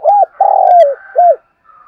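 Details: Decoy spotted dove calling its flock in the morning with a loud, deep coo: arched hoot, long falling note, arched hoot, and a faint higher whistle afterward.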